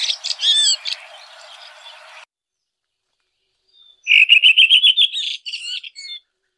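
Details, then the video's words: Red-throated thrush song: a short squeaky warble, a long silence, then a quick rattling trill of evenly repeated bright notes ending in a few thin high whistles. "Red Thrush Singing.(Turdus ruficollis)."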